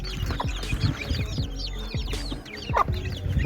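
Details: Dense chorus of small chicks calling with quick high cheeps that slide downward, over strong low-pitched background noise.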